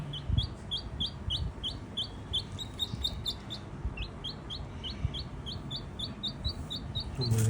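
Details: Rescued little chick that strayed from a neighbouring house, sheltering and exploring indoors: rapid, regular high peeps, about four per second and roughly thirty in all, each short and sharply inflected, over a low background rumble.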